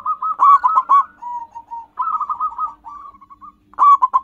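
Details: Local zebra dove lure song, natural and loud: a strong burst of three or four staccato coos, a drawn-out trailing note, then softer rapid rolling coos, before another strong burst begins.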